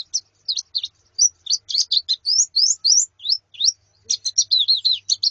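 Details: Female white-eye and colony calls for training a male: separate high chirps, many rising sharply, spaced irregularly, then a quicker chattering run at the end, with a faint low hum.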